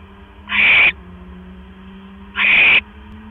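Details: Owl at its nest on October 12, 2015 at 9:40 PM, when a mouse is brought in: two harsh, breathy hissing screeches about two seconds apart, each lasting under half a second, over a faint steady hum.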